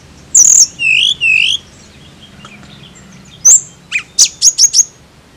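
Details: Tledekan singing: two high whistles swooping downward, a pause, then a sharp note and a fast burst of four or five clipped, very high chips.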